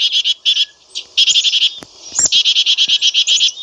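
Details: Black-capped chickadee producing fast runs of harsh, harmonic-rich notes, about six per second, broken by a brief pause and a few clicks, loud and close.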